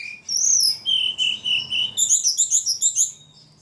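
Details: Ledekan bird, described as singing very actively, delivering high thin whistled notes, then a fast run of short sharp chirps repeated about four per second. Faint low hum underneath.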